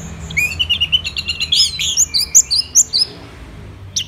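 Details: Lively song of a caged Orange-headed thrush: a quick run of repeated chirps rising into high whistled and slurred notes, delivered in a tight burst, then quiet.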